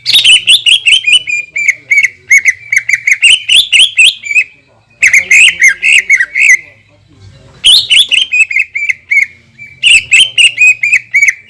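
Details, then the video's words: Repeated long bursts of dense, scratchy chirping from a greater green leafbird, a 'shooting' song meant to stir rival leafbirds, each burst lasting a few seconds before a short pause. "PANCINGAN CUCAK IJO GACOR DENGAN TEMBAKAN PANJANG YANG MEMATIKAN"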